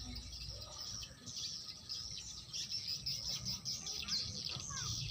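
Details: Swiftlets: a dense, continuous wash of high, twittering chirps with many overlapping callers, over a low background rumble.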